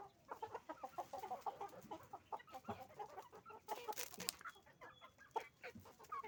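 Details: Hens and roosters on a chicken farm calling together: rapid strings of short nasal clucks from many birds at once, with a few louder harsh cries later in the recording.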